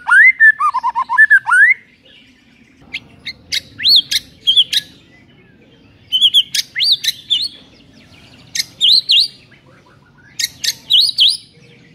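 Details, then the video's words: White-rumped shama song used to wake a sluggish shama into singing: an opening burst of warbled whistles, then spaced groups of sharp, high, upswept notes separated by short pauses. "JELAS NYAUT ..!!! MURAI BATU LOYO LANGSUNG NAIK EMOSI & BONGKAR MATERI MENDENGARNYA"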